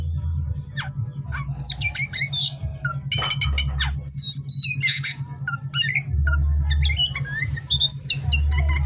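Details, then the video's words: Lively oriental magpie-robin song at night, mixing sweeping whistles, scratchy squawk-like bursts and rapid twittering phrases, with a steady low mechanical hum behind. "suara KACER GACOR di malam hari"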